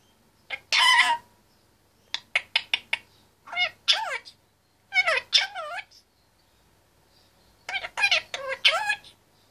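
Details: Chatty male Indian ringneck parakeet, two years and one month old, in his cage: rapid clipped syllables and swooping voice-like phrases in four groups across the stretch.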